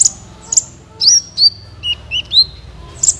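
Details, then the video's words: Singing sunbird used to encourage other birds to sing: a few sharp high chirps followed by short, rising and falling whistled notes, over a steady low hum in the background. "suara burung Kolibri ampuh untuk pancingan, suara burung Kolibri gacoorr 2 menit langsung ikut gacor"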